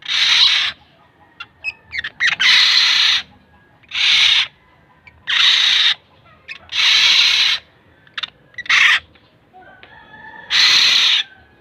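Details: Black-naped oriole, local name kilyawan, uttering a steady series of rasping, scratchy calls, about eight bursts spaced one to two seconds apart, with a few short tonal notes between.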